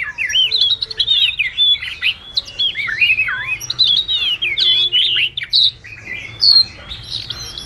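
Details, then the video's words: Wagtail chattering to call the flock, a sound used to lure birds to traps; bursts of looping, downward-curling whistles and sharp chirps, alternating with short quiet gaps, growing sparser toward the end. "Chim Chìa Vôi líu lo gọi bầy"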